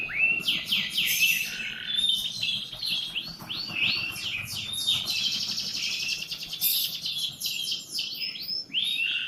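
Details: Canary singing through the morning: an unbroken, varied stream of swooping whistles, quick trills and sharp chirps, loud and rich from start to finish.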